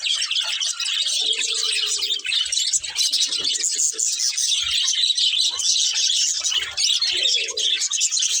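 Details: Budgies chattering continuously in high scratchy warbles and squeaks, with occasional lower drawn-out notes under the chorus.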